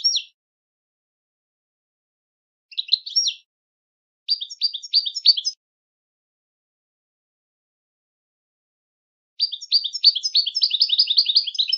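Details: Goldfinch song in the switty style, a learning pattern for caged goldfinches: several brief bursts of high, sharp twitters separated by silent gaps, then a long, fast, continuous chatter of ringing notes.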